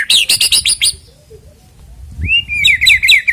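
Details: White-rumped shama used to spur singing before a bird contest: a quick series of about six sharp, repeated chirping notes, a pause, then a long rising whistle followed by a rapid rattling trill.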